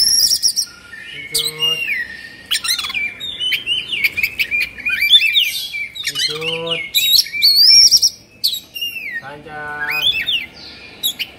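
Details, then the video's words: Oriental magpie-robin in an agitated 'kongslet' display with its tail spread, singing a long, varied stream of whistles, trills and harsh rasps. A lower buzzy, harmonic sound recurs three times. "Suara Kacer Emosi/Kongslet"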